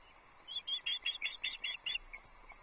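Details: Osprey chick at the Loch Arkaig nest, 9 July 2022, breakfast time: a short burst of about eight high, piping chirps in quick succession, then fading.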